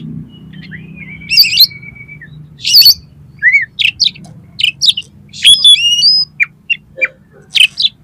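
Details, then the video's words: Kacer (oriental magpie-robin) in lively contest-lure song rich in 'miuntah' fill: a long flat whistle, harsh bursts, then varied chips and sweeping high whistles with sharp rising notes toward the end. "KACER GACOR FULL MATERI MIUNTAH ISIAN || COCOK UNTUK PANCINGAN KACER LOMBA"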